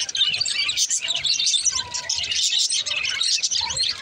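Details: Green Australian budgerigars warble continuously with rapid, scratchy chirps and high twittering notes.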